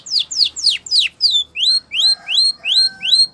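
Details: Spanish Timbrado canary in training song, giving loud steep downslurred notes, then a measured series of rising whistled phrases about three per second, clean and clear.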